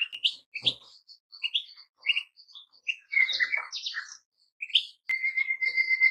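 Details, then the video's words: Scattered goldfinch twitters and chips with pauses, a low knock early on, and a steady thin tone entering near the end alongside the chirping. "Goldfinches - amazing song"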